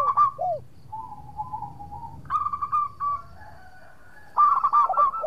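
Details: Local zebra dove singing as a lure for rivals: curving coos, a long soft flat tone, then choppy bursts of short repeated coo notes.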